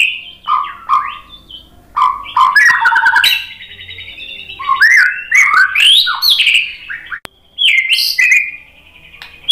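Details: White-rumped shama song used to provoke other shamas into singing: varied loud phrases of whistles, slurred notes and sharp chirps jumping between low and high pitches, with brief pauses between bursts.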